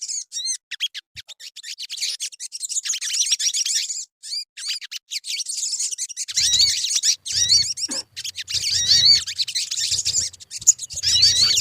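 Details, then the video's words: Crimson sunbird (sogon) lure song: a long run of rapid, very high ticking chirps that swells into dense, sweeping twitters and trills, with faint low thuds in places. "Suara pancingan burung sogon"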